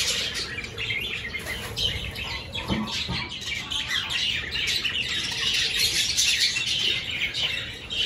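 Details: A flock of caged budgerigars at the start of breeding season, clay nest pots newly hung in their aviary. Busy overlapping warbles, chirps and harsh squawks form a constant high-pitched chatter, with brief louder bursts.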